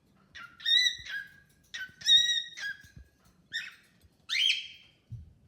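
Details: Pet cockatiel singing and chatting with a new bird: paired whistles with strong overtones and falling tails, then a short rough chirp and a harsher downward-swept squawk-like note.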